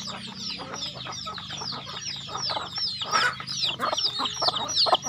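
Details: Chickens on a rural farm while being fed: a busy overlapping mass of shrill descending peeps and clucks that grows louder toward the end, with a faint low hum underneath.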